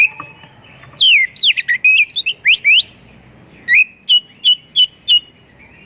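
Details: An actively singing Oriental magpie-robin delivers a lure song packed with imitations: a fast run of slurred whistles and chips, a pause, then a string of five or six evenly spaced sharp whistled notes.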